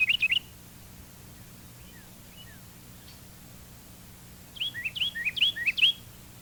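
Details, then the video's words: Carolina wren song, a species that may sing at any time of day and in every month, shown here in two- and three-noted form: a short burst of rapid, slurred whistled notes, a long pause, then a longer run of repeated phrases, with faint tape hiss and hum. "Next, the two- and three-noted songs of the Carolina wren."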